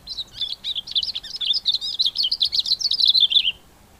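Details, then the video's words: Singing male Cape grassbird in September, start of the spring breeding season; a fast tumbling stream of sharp high chirps and twittering notes for about three and a half seconds, ending in a slurred descending note. "Cape Grassbird singing at the start of Spring"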